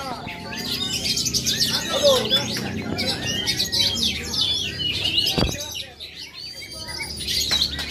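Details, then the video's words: Native Aceh oriental magpie-robin delivering fast, varied high whistles and chattering phrases, with a low murmur of voices behind and a sharp knock midway through. "Aksi kacer asli aceh"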